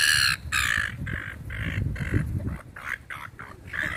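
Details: Seagulls being fed in a park give loud, harsh, harmonic squawks in short bursts, about two per second with brief gaps, over low rumbling background noise.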